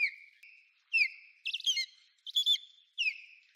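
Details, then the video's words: Osprey giving piercing whistled notes that slide downward, mixed with quick clustered chirping bursts, several calls within a few seconds against a quiet, clean background. "SOUND OF A AMERICAN OSPREY 🔊 What a american osprey sound"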